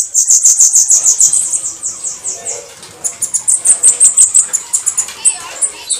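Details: 'Canto de foguear' of the Bananaquit, known locally as sibite or cambacica: quick series of thin, very high notes, a softer stretch, then a fresh burst, with a steady hiss in the background.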